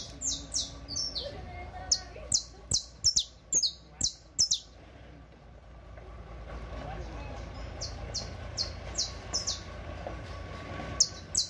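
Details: Saffron finch song for training young birds: repeated high, clipped downslurred notes in bursts, pausing while a steady background rumble rises, then resuming with another series of chips.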